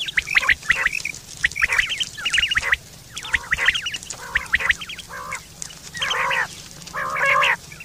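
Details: Quail morning calls: bursts of harsh, chattering notes, several quick rasping calls in each half-second group, repeated steadily with short pauses between.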